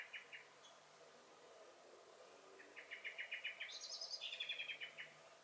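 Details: Common blackbird singing and alarm calling in a garden, 23 May 2021: a short stutter of notes, then a long rapid series that rises into a high, squeaky twitter before dropping back.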